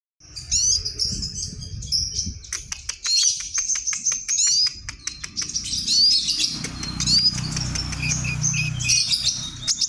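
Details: White-rumped shama of the Kalimantan type singing vigorously: a rich, fast medley of high whistles, sharp clicking notes and rising slurred phrases delivered almost without pause, with a low rumbling background.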